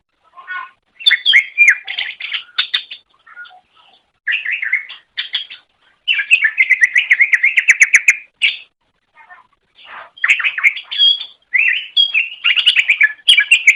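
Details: Greater green leafbird masteran for pet songbirds: long stretches of energetic, varied whistles and rapid trilled chatter, broken by brief pauses, with mimic-like changes in phrase every few seconds; no other sounds.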